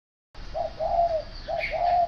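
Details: Spotted dove cooing: a low, hollow short note then a longer, drawn-out coo, given twice in quick succession, with a faint chirp from another bird near the end.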